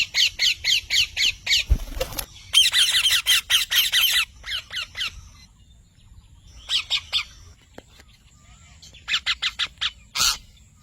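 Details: Parrot calling in long rapid series of harsh, chattering squawks, several bursts separated by quiet gaps, with a single loud thump early on.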